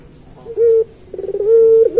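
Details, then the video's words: Puter pelung turtle dove song used as a master recording for training other pelung doves: a short clear coo, a pause, then a rolling pulsed coo that settles into a steady sustained note. "Suara Burung Puter Pelung Masteran"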